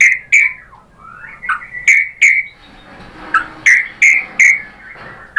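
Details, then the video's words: Lure recording of white-rumped shama song meant to make a bird reply and sing: loud, short whistled notes near the same pitch, repeated in uneven bursts, with quieter soft twittering and faint hiss between them. "PANCINGAN AMPUH ‼️ MURAI BATU JADI NYAUT GACOR BONGKAR MATERI ISIAN ¦ PANCINGAN MURAI"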